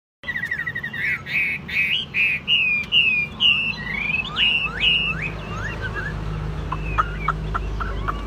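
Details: Chinese hwamei, a caged bird offered for sale, singing a loud varied phrase of rich whistled notes, rising and falling slurs repeated in quick succession, ending in sharper downslurred chips.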